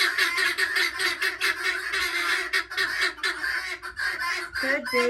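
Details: A flock of guineafowl gathered at night at roosting time: a dense, continuous wall of harsh, scratchy cackling from many birds, pulsing in loose waves, with a short nasal note at the end.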